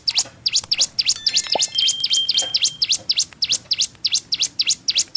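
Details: Sunda warbler song variant for training cage birds: fast string of high V-shaped chirps, about four per second, with a brief burst of thin, steady whistled tones overlapping the middle section.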